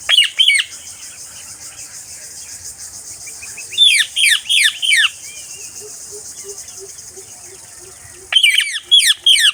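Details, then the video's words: Parakeet producing rapid runs of harsh, scratchy squawks in clusters of three to four, with a hissing background and a soft pulsing low tone between bursts. "Parrot Sounds , voice টিয়াপাখির ডাক"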